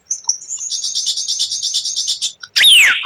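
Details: White-rumped shama (murai batu) song with rare 'tembakan' burst phrases: a high thin whistle, then a fast even trill of about twenty buzzy notes, ending in a loud sharp down-slurred whistle.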